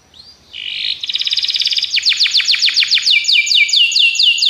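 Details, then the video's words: Belgian canary song used as a training recording for canaries: a brief rising note, then a rapid buzzy trill, followed by fast repeated downward-sweeping whistled notes in quick succession, loud and clear with no other sounds. "treinamento para canário belga"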